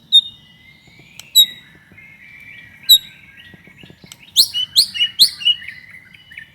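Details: White-rumped shama singing to provoke other shamas: sparse sharp high whistled notes over a soft thin trill, building into a fast burst of loud rising chirps near the end.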